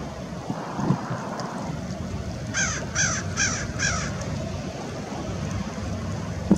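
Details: American Oystercatcher at Fort Monroe, Virginia, on March 15, 2019, giving four loud, piercing, slightly harsh notes in quick, even succession over steady low wind or surf rumble.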